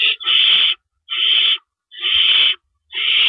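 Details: Owl at its nest in the early hours of April 4, 2012, during rabbit deliveries: loud, rasping hiss-screeches of about half a second, four in a row, spaced fairly evenly, with little else audible.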